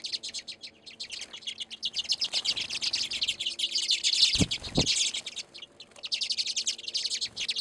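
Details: Redpolls busy at a seed feeder in Anchorage, Alaska, in February. Fast, high, buzzing rattles and chattering trills run almost nonstop, broken midway by a few low knocking thumps before the twittering resumes.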